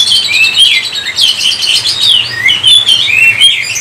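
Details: Oriental magpie-robin singing a busy, varied song of high whistles, quick twisting slurs and sharp chirps, with barely any pause between phrases.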